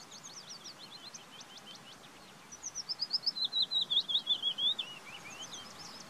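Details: Willow warbler song: faint high twittering notes first, then a clear descending series of sweet slurred whistled notes from about 2.6 s, fading out at the end over a soft background hiss.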